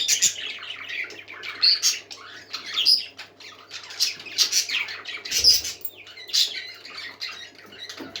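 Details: Several indoor parakeets chattering continuously, a dense flock of warbled, scratchy notes and squeaky whistles with occasional sharper squawks, set against a steady low hum.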